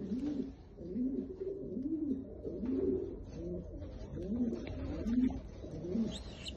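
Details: Domestic pigeon of a fancy tumbler type giving repeated low rolling coos, each arched phrase rising then falling, about one every second, overlapping as several birds coo in a small room.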